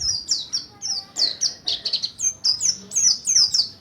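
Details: Mountain white-eye, Buxtoni, practising ngalas ngerol rolling song to draw other white-eyes: continuous series of high, thin, falling chirps, roughly three per second, clear and unaccompanied.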